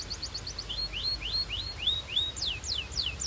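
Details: A Belgian canary warming up sings bright, high phrases: a quick run of short chips, then repeated slurred whistles and falling sweeps, over a low background hum.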